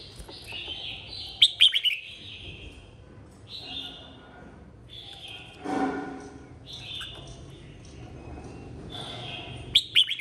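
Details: Red-whiskered bulbul in a 2023 singing contest, coaxed to sing and call the flock: slurred, falling whistled phrases spaced a few seconds apart, with a brief rough noise midway.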